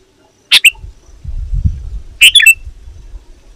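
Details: Sooty-headed bulbul calling rivals, used as a lure for wild birds: two brief harsh chattering bursts, the first short and single, the second a fuller cluster of sharp notes, with faint low rumbling between them.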